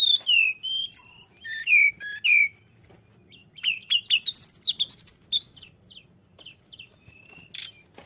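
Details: Lure recording of a persistently singing Sunda robin: descending whistled slurs at the start, then a rapid rising series of warbled notes, followed by near silence and a few soft calls.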